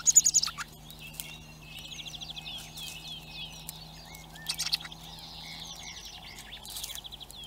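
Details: Begging of hungry young common blackbirds, recorded by a live feeder camera in Recke, Germany: a loud scratchy burst at the start, then softer high chittering and short rising squeaks in runs, over a low steady hum.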